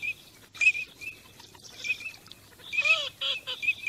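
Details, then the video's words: Migrating teal: scattered high whistled notes, then a brief burst of harsher, nasal, descending duck calls near the end before the whistles resume. "teal call migration song"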